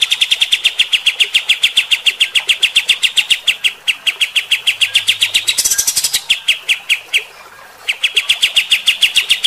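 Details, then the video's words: Kapas tembak bulbul in a rough, rapid-fire song to stir fighter-type birds: an almost unbroken stream of fast, sharp high notes with one short harsh rasping break before the stream resumes. "AUDIO KAPAS TEMBAK GACOR MBESET TEMBAKAN KASAR. BIKIN EMOSI BURUNG TIPE FIGTER"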